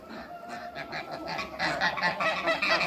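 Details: Eight African and Toulouse geese on a farm, met after a new hybrid was created, give loud nasal honks that repeat in quick overlapping bursts, rising in intensity toward the end of the recording.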